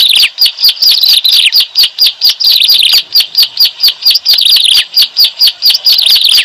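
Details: Lure sound for trapping bar-winged prinias: evenly paced, bright, descending chirps, roughly three per second, sometimes doubled, with short breaks between bursts.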